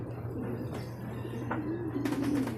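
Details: Racing pigeon at a loft in Guiguinto, Bulacan, as birds return in a group from a second truck training release; a low, soft coo rises in the second half, with a steady low hum and faint clicks behind.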